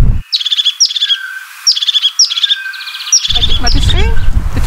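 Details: Crested tit in a winter forest giving short, high, buzzy trilled notes in quick bursts, about two a second; a thinner, sweeping human imitation follows over low background rumble.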